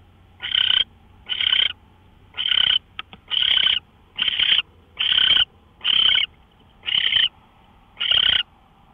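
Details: Owl recorded on a live nest camera on March 24, 2013 at 5:27 AM. It gives nine harsh, hissing rasps of about half a second each, spaced roughly a second apart, against a quiet background.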